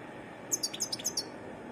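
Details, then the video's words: Wild European goldfinch giving a varied song: a brief burst of about six high, thin chirping notes in quick succession, some dipping lower, over a steady faint background hiss. "تغريد حسون متنوع"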